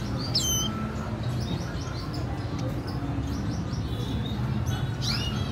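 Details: Red siskin mother tending her chick, 14 April 2021: a few bright, sharply down-slurred whistles at the start and end, with soft high chirps scattered between, over a constant low rumbling hum.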